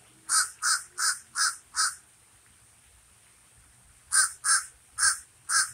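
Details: Common raven giving a series of short, harsh caws, five in quick succession, a pause of about two seconds, then four more at the same pace.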